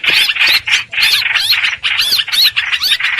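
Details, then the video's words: Streak-eared bulbul lure song for bird trapping, a loud stream of bubbly, chattering notes in quick bursts, each burst falling and rising, with a faint low hum beneath. "Tiếng chim hoành hoạch mồi chuẩn"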